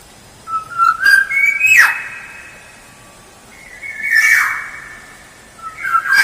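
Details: Black-naped oriole song used as a lure: clear fluted whistles around steady mid pitch, rising in steps, broken by a harsh downslurred burst, then a second long whistled phrase ending in another rasping note, with echoing tails.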